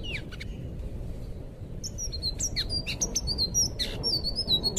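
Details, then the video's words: Thrush, kept song recording meant to tutor untrained cage birds; a few scattered chirps first, then from about two seconds a dense, rapid stream of high whistled phrases and clipped upslurred notes over a soft low hum. "suara burung anis biru buat masteran burung bahan"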